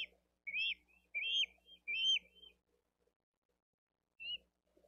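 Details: Nest-cam recording of the younger bald eagle chick asking for food, Dade County, 13 April 2023, as fish is fed to the older chick. Four piercing whistled calls in quick succession, a pause, then one softer note.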